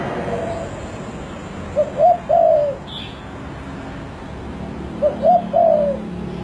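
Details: Spotted dove cooing: two short phrases of three low, hollow coos each, the last note drawn out and falling, about three seconds apart, over steady background hiss.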